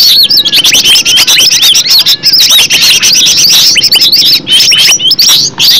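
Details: Green leafbird natural song meant to trigger other leafbirds to sing: loud, dense medley of high slurred whistles, squeaks and chips, running nearly nonstop.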